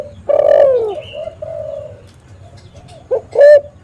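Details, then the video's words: Spotted dove singing actively, used to lure and trap doves: a strong, falling coo followed by softer trailing notes, a pause, then a quick double note and a bright loud coo. "SUARA BURUNG TEKUKUR ini JAGO MEMANGGIL untuk PANCINGAN & PIKAT"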